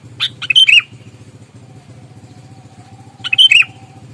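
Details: Sooty-headed bulbul, an aggressive fighting lure bird meant to anger rivals, gives two short phrases of sharp chirps and slurred whistles about three seconds apart over a steady low engine hum.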